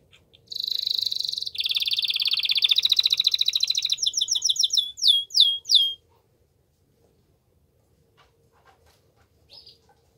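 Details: Canary giving strong song meant to stimulate a female to mate: a dense high buzzing trill, then a faster rolling trill, then a few sharp down-slurred chirps, ending in silence with one faint later note.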